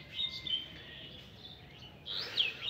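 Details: King quail, a small group of pets kept on a rooftop in the morning while drinking water, giving thin high chirps with a brighter burst of squeaky notes near the end; faint room noise underneath.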